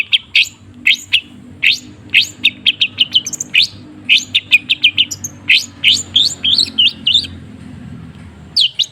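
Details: Long-tailed shrike singing, played as a lure to get a quiet bird singing: short, clipped chirps and squeaky notes in quick clusters separated by brief pauses, with a faint low hum behind.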